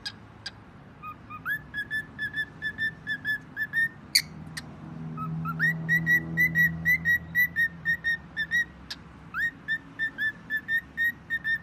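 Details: Pet bird giving clear whistled notes in rapid runs, each brief tone steady or gently bending, about two per second with short pauses between runs, plus a few sharp high squeaks and a low hum beneath.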